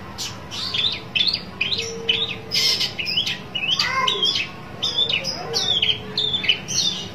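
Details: Long-tailed Shrike seeking a rival, giving a dense, restless chatter of scratchy squawks and chirps with varied shapes, a few lower slurred notes dropping in midway, calling almost continuously throughout.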